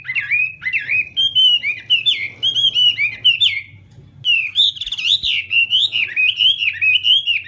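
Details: Morning singing practice of a Chinese hwamei: a continuous stream of loud, looping whistled notes, rising and falling in quick succession, with a brief pause midway before the rich warbling resumes.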